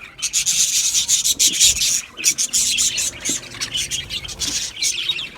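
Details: Budgerigars give a loud, buzzy, grating warble, fast harsh chirps running together in throbbing pulses with only short breaks.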